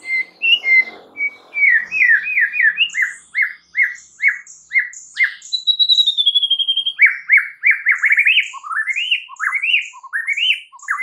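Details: White-rumped shama lure song said to make any shama angry: varied quick rising whistles, a long clear descending whistle, then a dense, lively stretch of upslurred notes and sweeps.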